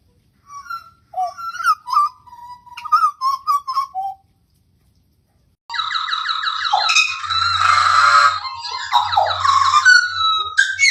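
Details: Pied butcherbird giving a phrase of fluted whistled notes that rise and fall, then after a pause a denser, harsher passage of overlapping notes over a low steady hum.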